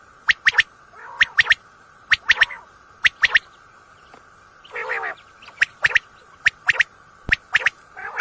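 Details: Common quail at night, recorded for hunting: quick crisp notes grouped in threes recur roughly every second, with one harsh buzzy burst midway over a constant hum.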